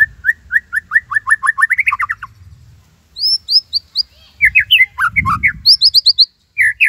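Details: White-rumped shama singing Cililin tembakan as master song for other shamas: repeated rising whistles quickening into a rattle, then high thin upslurs and jerky slurred chatter, with some low rumble behind.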